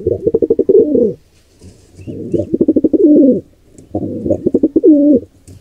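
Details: Wild pigeons, an intruding pair attacking a nestling at a birdcam nest. Deep cooing in three phrases, each a run of fast pulses ending in a looping, drawn-out note. Faint rustles are heard between phrases.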